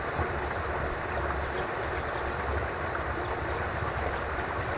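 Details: Continuous rushing water or wind noise, steady in level, without any animal calls.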